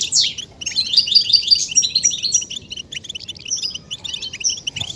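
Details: European goldfinch song used to encourage males to sing: lively twittering with quick chirps about three per second, short trilled runs and thin high notes, continuous and bright.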